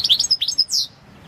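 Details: Competition song of a European goldfinch, subspecies balcanica, World Championship 2022 entry 006/22: tumbling twittered notes run quickly together and close with a downward-slurred buzzy note.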